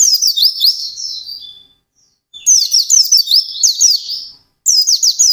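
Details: Intense fast ngalas singing from a white-eye: a rapid high twitter fading into a drawn whistle, a half-second silence, then two more bursts of quick, sharp, down-slurred notes.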